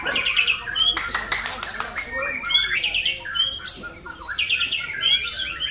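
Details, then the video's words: White-rumped shama singing at a practice singing contest for caged birds: rapid bright whistled phrases and sharp chirps, rising and falling, delivered in quick bursts, with faint voices and clicks in the background. "bidik murai di kelas latber"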